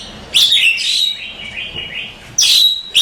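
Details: Oriental magpie-robin contest champion singing: an explosive harsh burst leading into a long, wavering whistled phrase, then another loud sharp burst near the end.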